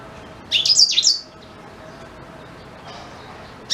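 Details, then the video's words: Blackthroat, the black-throated canary, sung as tutor material for white-rumped shama: one brief, bright burst of rapid high twitters lasting under a second, then quiet, with the next phrase just starting at the end. "Suara Asli Blackthroat Pas Buat Guru Murai Batu"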